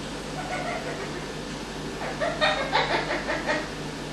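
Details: Captive Amazon parrot, male, imitating an evil laugh it developed within a week: soft murmuring notes give way to a rhythmic burst of about six chuckling, cackle-like syllables, roughly three per second, with steady background hum.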